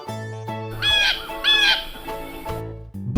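Blue Jay giving two harsh, nasal squawking calls about half a second apart, over steady background music.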